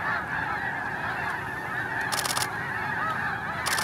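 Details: Snow Geese lifting off together at Hagerman NWR, a thick mass of high nasal honks, with two sharp bursts of flapping noise cutting through the clamour.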